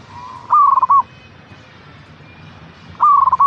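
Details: Local perkutut, the zebra dove, singing in captivity as a stimulation sound: two mellow cooing phrases, each opening with a steady tone then breaking into a quick rolling series and a closing coo, about 2.5 seconds apart.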